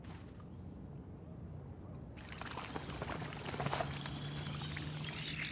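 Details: Sloshing water and low rumbling noise with faint voices, and no animal calls.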